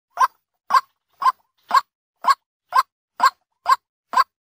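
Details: White-breasted waterhen calling by day, played as a trapping lure. Short, hoarse croaking notes repeat steadily about twice per second, nine in a row, each with a brief throaty low edge. The background is silent.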